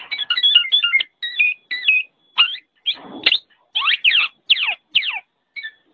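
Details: Kepodang, the black-naped oriole, in a training recording: fast twittering notes crowd the start, then sharp downward-sliding whistles repeat about twice a second, with one brief rustling burst midway.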